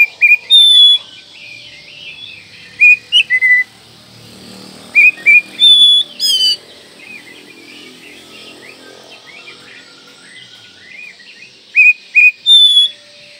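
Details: Kacer manjur song of an Oriental magpie-robin, used as a tutoring track for morning, midday and night: clusters of two or three loud whistled notes separated by long soft pauses, with a single buzzy rasp midway.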